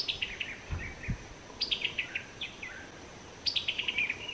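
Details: Summer tanager in summer with its distinctive chuckling call: three bursts of clipped, stuttering notes, each tumbling from high to lower pitch, with two soft thumps early on.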